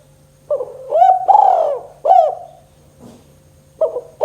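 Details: Spotted dove in 'kuk 2' style, used to coax doves that have gone quiet: a soft note, a rising coo, a long coo and a clipped coo, then a thud and the next phrase beginning, over a low continuous hum.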